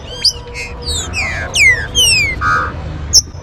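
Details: Trinca-ferro, or green-winged saltator, warm-up song: a run of loud, clear whistled slurs, each gliding steeply downward, fired off in quick succession with a sharp high chip and a short buzzy burst, low background rumble.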